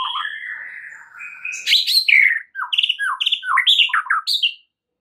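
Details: White-rumped shama (murai batu) opening with long rising whistles, then a fast, loud jumble of buzzy trills, chattering notes and quick downslurred whistles before falling silent.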